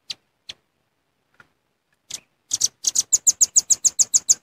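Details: Velvet-fronted nuthatch lure call. A few scattered high chips come first, then a rapid run of sharp, piercing notes speeds into a steady rattling series of about three to four notes per second.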